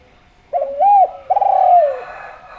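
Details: Single phrase from a vocal spotted dove, sound used as a lure so other doves call: a short upswept coo then a longer, gently falling rolled coo, all low and mellow.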